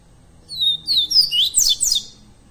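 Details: Double-collared seedeater, live recording of song for training captive birds: a quick run of thin, high whistled notes, some sliding downward, in rapid bursts about every quarter second over a quiet background.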